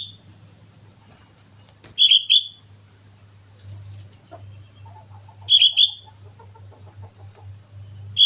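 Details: Sooty-headed bulbul singing on Mount Slamet: short doubled bubbly whistles repeated about every three and a half seconds, with a faint low hum between phrases.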